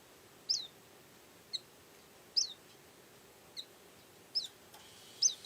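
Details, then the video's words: Yellow-and-white white-eye calling actively: six brief, thin, high chirps, each a quick downward flick, spaced about one second apart over a quiet background. "Burung Pleci Kacamata Kuning Putih Suara Aktif"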